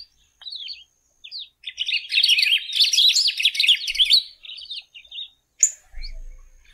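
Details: A golden-billed saltator sings scattered short chirps that build into a long, rapid, jumbled twittering phrase, then breaks into a few sharp isolated notes, with a brief low thump near the end.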